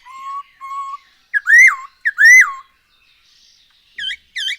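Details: Black-throated laughingthrush, a singing bird used as a lure: two level whistles, then two loud bright arched notes with rich overtones, a short pause and a pair of softer chevron calls.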